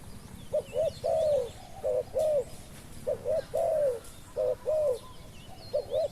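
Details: Spotted dove used to lure wild doves, cooing in regular phrases of two clipped low notes followed by a long drawn falling note, repeated four times. Faint chirps of other birds behind.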